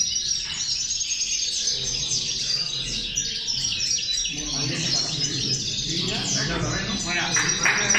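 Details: Many European goldfinches singing at once as a motivator for goldfinches: a dense, lively wash of high twittering, tinkles and brief buzzes, growing busier toward the end.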